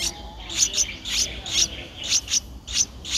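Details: Streak-eared bulbul nestling, 11 days old, Ubon Ratchathani, Thailand, 13 April 2023, giving harsh, hissy high-pitched begging chirps, often doubled, repeated quickly through the recording.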